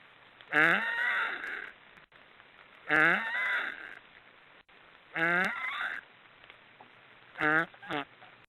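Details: Black storks snoring: four hoarse, wheezy calls with stacked harmonic bands, each lasting about a second and coming roughly every two to three seconds, the last one a short broken double note, over a quiet background.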